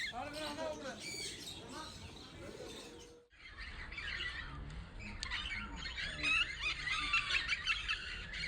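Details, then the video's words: Several lovebirds chatter in dense, shrill, rapid chirps and squeaks; a voice-like harmonic sound opens the recording before a short silence. "Love Birds | Natural Sound"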